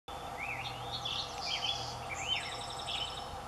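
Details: An adult male Black-headed Grosbeak sings from a tall willow over a creek in Moraga, California, on 29 April 2016: rich, warbled rising and falling whistled phrases, fairly faint over steady background noise and a low hum.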